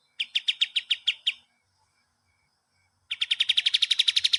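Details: Kapas tembak training song for cage birds: a run of about eight spaced, sharp chip notes, a silence of nearly two seconds, then a fast accelerating trill of bright chips.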